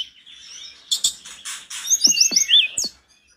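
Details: Mountain tledekan in full, agitated song that draws replies from other tledekans. Thin high whistles lead into a quick run of bright, sharply rising chirps, with a few clicks, before the sound stops.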